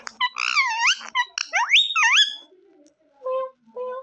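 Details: Green rose-ringed parakeet talking in Urdu/Hindi, said to repeat "mian mithoo": a run of bright, harmonic, wavering syllables with rising and falling pitch, a short pause, then two shorter, flatter notes.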